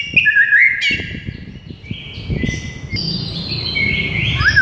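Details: Morning masteran of a white-rumped shama, meant to excite a mute bird: quick twisted whistles, then a sharp burst and held tones, with low rumbling background noise.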